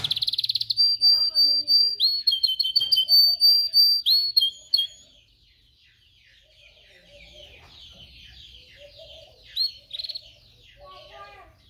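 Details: Canary singing, used to train canaries: rapid high trills and rolled notes changing pitch for about five seconds, then quieter softer warbling phrases over faint background sound.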